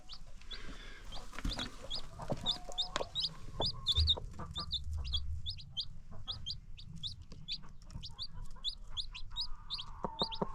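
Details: Free-range farm chickens with baby chicks: a steady stream of high falling peeps runs throughout, joined by scattered clicks and a few low clucks, and a drawn-out low call near the end.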